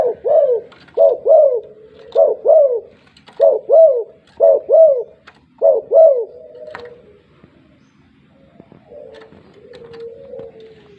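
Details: Spotted dove, tekukur, calling persistently: paired rising-falling coos repeated about once a second for six seconds, then fading into quieter, drawn-out low notes.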